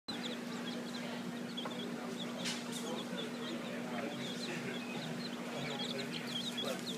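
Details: Hen with her chicks in Key West, the chicks giving many soft, high peeps scattered across the clip over a steady low hum and busy background noise.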